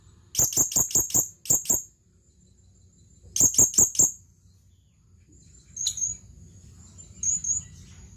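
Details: Male blue-crowned hanging parrot calling a female: a rapid run of about eight piercing high chirps, a pause, then another burst of four, ending with a few fainter, softer notes.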